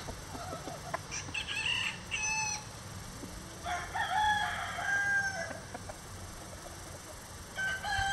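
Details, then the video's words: A free-ranging Rhode Island Red rooster, out on a windy day, crows in loud, harsh, drawn-out bursts that rise and then fall, about three times, over a steady low hiss. "Rhode Island Red Rooster Crowing"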